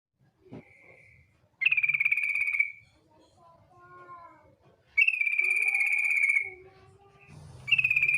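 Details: Female yellow-vented bulbul giving its 'ngetir' lure call, used to make bulbuls sing: three harsh, buzzy, trilled notes about a second long, with faint softer chirps and low hum in between.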